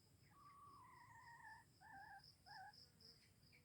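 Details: Faint red junglefowl crow from Aceh, Indonesia, of the kind used to lure wild junglefowl: one long tonal note, then two short wavering notes. Crickets pulse loudly throughout.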